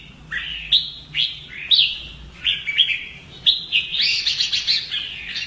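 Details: Fighting-song training of a Red-whiskered bulbul; a string of short rising chirps gives way to a brighter, faster trilled passage with buzzy high overtones near the end.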